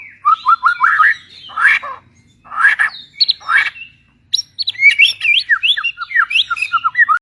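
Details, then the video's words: Rare white shama from the mountains of East Kalimantan on Borneo, singing loud bursts of rising and falling whistles and chattering notes, then a quick run of clear sweeping whistled phrases after a brief pause. "Burung Murai terbaik"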